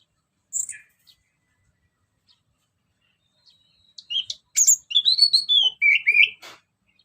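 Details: Orange-headed thrush, ngeplong lure song: scattered faint high notes at first, then a lively phrase of quick warbled whistles that swoop up and down.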